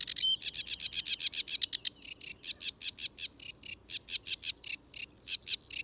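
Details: A sedge warbler in wet habitat of ditches and ponds sings loudly and fast, louder and higher than reed warbler, a rapid, varied chattering run of high scratchy notes, about four a second, with a sweeter note near the start; others sing in background.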